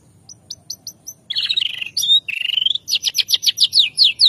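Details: White-rumped shama in the morning, singing a song filled with copied kapas tembak, cililin and canary notes. Sparse high ticks give way to a burst of buzzy warbling, a rising whistle, then loud rhythmic downward-slurred notes.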